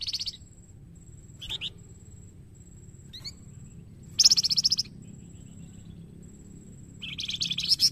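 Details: Flamboyan bird singing to prompt other birds into song: short, high, sharp chattering bursts separated by pauses of one to three seconds, with a faint steady high whine and low background hum.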